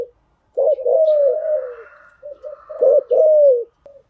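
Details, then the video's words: Spotted dove decoy cooing, used to train newly caught wild birds: a long, slightly falling hoarse coo, a short break with soft broken notes, then a brief double note and another long drawn-out coo. "tiếng chim gáy dùng tập chim bổi mới hiệu quả"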